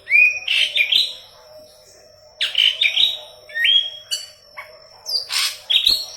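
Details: Yellow-headed leafbird singing intensely, recorded as training song for Cucak Ijo: clear whistled notes and rising sweeps in two bursts separated by a quiet gap, with a faint steady hum throughout.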